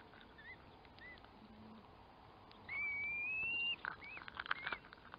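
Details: Curlew giving a long, steady whistled note that rises slightly, preceded and followed by short curved whistles from other birds at a distance.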